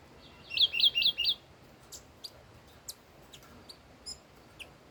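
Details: Old wild red-whiskered bulbul singing: four loud, clear whistled notes, each rising then dropping in a hook, delivered in quick succession, followed by scattered thin, high chirps from other birds.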